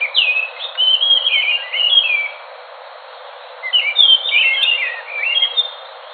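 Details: Enggano thrush (anis macan, Geokichla leucolaema) from Enggano island off Sumatra, Indonesia: two bursts of rapid, varied whistled phrases sliding between high notes, separated by a short pause, over steady background hiss.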